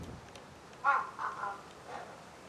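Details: Lone crow in a Humboldt penguin enclosure, calling at the penguins: one sharp caw followed by two softer, drawn-out harsh notes, with quiet background.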